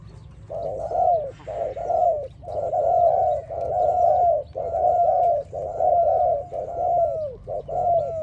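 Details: Loud, near spotted dove singing for training, a long chain of full, slightly falling coos about once a second, nearly continuous, over a low steady hum.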